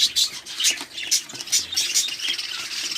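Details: Budgerigars at a breeding farm of 100 pairs in Pakistan: a dense flock chorus of shrill, scratchy squawks and chirps, with sharp high notes bursting out roughly twice a second over constant chattering.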